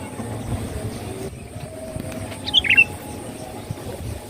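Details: Sooty-headed bulbul song used as a lure to attract birds: one short bubbly phrase of three or four quick warbled notes midway through, over a steady low rumble and a faint high hum.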